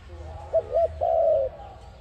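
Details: A single dove coo, the ARIMIX dove used for trapping: two brief hooted notes, then a long smooth coo sliding gently downward.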